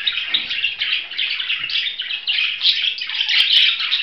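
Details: Budgerigar warbling in a continuous, scratchy chatter of quick chirps and squeaks, with brighter tweets standing out near the end.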